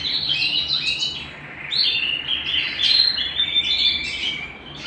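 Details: Canary singing at home: a continuous, bright warbling song of rapid trills and twittering phrases, high-pitched and rich, rising and falling in loudness across the passage, with a quiet low hum beneath.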